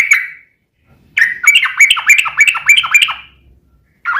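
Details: Kept sooty-headed bulbul singing a rolling song used as a lure for other bulbuls: a brief note, a pause, then a quick run of dipping chirped notes, about three to four per second.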